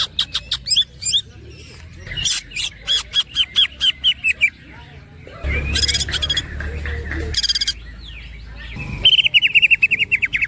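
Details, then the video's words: Cucak ijo, the greater green leafbird, in rolling ngerol song with platukan woodpecker-like phrases: a series of sharp separated notes, then noisy bursts, ending in a fast buzzy trill. "The green cucak bird makes a sound cucak groping woodpecker"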